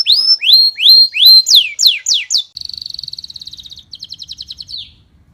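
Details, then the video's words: Canary song for training birds kept at home: rising whistled slurs and downward sweeps, followed by a fast pulsing trill and a slower chattering trill that fades out. "kicau burung kenari"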